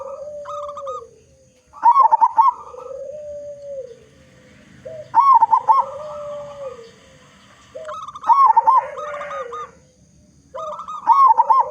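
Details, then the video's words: Persistent local zebra dove lure song meant to prompt other doves to sing: rolling, bubbly coo phrases repeat about every three seconds, four in all, over a quieter sliding coo in between. "Perkutut Lokal Gacor Suara Besar Cocok Untuk Pancingan Semua Jenis Burung Perkutut Agar Cepat Bunyi"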